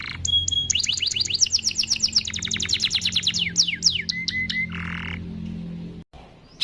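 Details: Long rolling 'ngerol' canary song, sung by a lively 'gacor' bird, used as a lure to set other canaries singing: quick repeated chirps merge into a rapid rattling trill, then descending slurred notes, short level whistles and a buzzy burst, faint low hum beneath.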